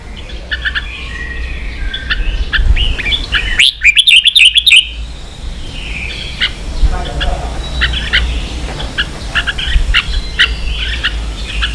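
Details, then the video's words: Caged red-whiskered bulbul in Vietnam, set off to compete: steady rapid chirps and short warbled phrases, one loud rippling burst near the middle, faint human voices in the background. "Chào mào kích đấu căng lửa chơi cực hay"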